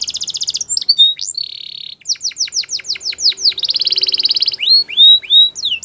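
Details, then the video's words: Canary delivering varied tours: a rapid high trill, a sustained flat whistle, a quick series of descending slurs, another dense trill and several rising whistled notes. "Most Beautiful Song Canary Bird"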